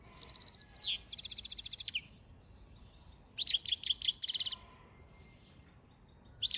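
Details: Goldfinch singing in lively bursts of high, tinkling twitters and fast buzzy trills, phrases separated by short silences, with one downward-slurred note early on and a new phrase starting at the end.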